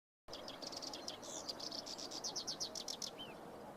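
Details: Black-browed reed warbler singing at the foot of Mount Fuji on 21 June 2014: a fast chattering run of high, scratchy and buzzy notes, roughly four per second, ending in a short upward-slurred whistle over a low steady hiss.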